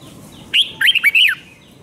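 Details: Short song phrase of a red-whiskered bulbul, the doubled five-note style played to young birds: a rising lead whistle, then four fast, liquid, looping notes.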